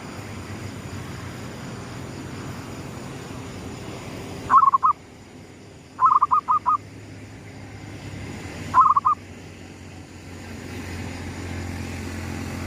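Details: Lure zebra dove, gedong mengo type, cooing toward the rising sun: three rolling phrases, the middle one a longer run of five clipped bubbling notes, set against a steady low rumble.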